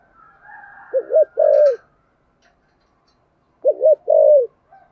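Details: Spotted dove singing in the "thổ sấm" voice style with "thúc gù" cooing: two low phrases, each two quick wavering notes then a longer drawn-out coo, about three seconds apart, with a faint higher hum before the first.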